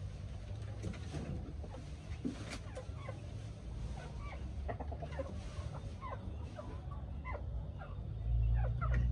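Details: Chickens exploring their new coops cluck softly and repeatedly, several birds overlapping in short scattered notes, over a deep low hum that swells near the end.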